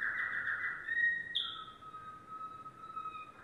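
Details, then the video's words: Yellow domestic canary giving a quick rattling trill that settles into a long, lower, pure whistled note held for about two seconds. "canary singing"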